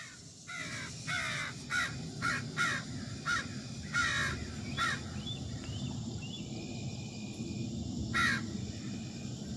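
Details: A murder of crows flying past a new male, one landing to harass him, on August 4, 2024 at 8:54 PM: a run of harsh, rasping caws in quick succession, then a lone caw near the end over steady outdoor hum.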